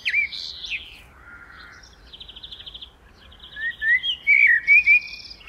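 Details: A common blackbird gives a quick run of soft fluty whistles and slurred notes, mixed with scratchy, buzzy twittering trills higher up, over about five seconds.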